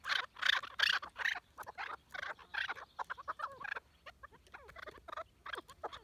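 Chukar partridge giving harsh, clucking chuck notes in quick bursts, then thinner rising and falling notes.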